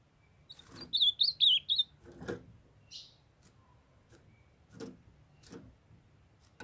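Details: Young male ultramarine grosbeak, captive in Brazil alongside a female calling to warm him up, sings a brief loud run of four or five slurred high whistles, followed by scattered knocks and clicks.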